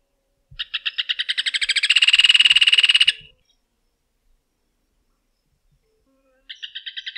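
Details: Rufous hornero song: a rapid run of piercing, evenly spaced notes accelerating into a dense metallic trill for about two and a half seconds, then silence until a new phrase starts near the end.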